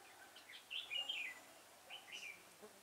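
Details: A red-whiskered bulbul serving as a trapping decoy, dated 6 November 2017, sings clear fluting whistles, a tumbling descending phrase followed by a shorter rising-falling one, against faint background hiss.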